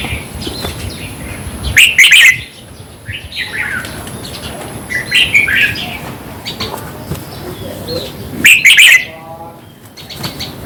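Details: Song of the red-whiskered bulbul, used to rouse caged birds: three loud, rich chirpy phrases about every three seconds, with quieter whistled notes between them over a constant faint high hiss.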